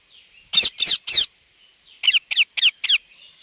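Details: Parrot making sounds: three broad, harsh squawks followed by a faster run of four shorter, sharp, descending squawking notes.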